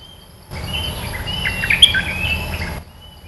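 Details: Red-eyed bulbul, the local territory lord, in a two-second outburst of chattering, gurgling song notes with one sharp bright squeak in the middle, set against soft distant whistles.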